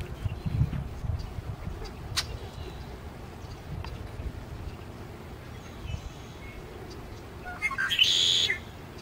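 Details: Red-winged blackbird in winter plumage at Wakodahatchee Wetlands, Florida: a few faint high chips, then one harsh, buzzy, trilling burst near the end, over a steady low wind rumble.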